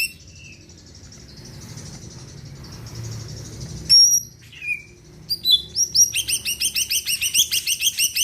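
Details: Greater green leafbird: soft warbling at first, a bright high whistle near four seconds, a short falling note, then a lively burst of rapid, sharply rising chirps repeated several times per second until the end.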